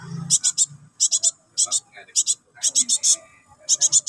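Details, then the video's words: Begging Java sparrow chick calling its parent with clusters of three or four shrill, buzzy chirps repeated about every half second, over faint low background murmuring. "SUARA ANAKAN BURUNG GELATIK BATU NYERECET MEMANGGIL INDUKAN"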